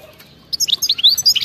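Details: European goldfinch of wild type bursting abruptly into a short, fast flurry of bright twittering notes after a moment of quiet.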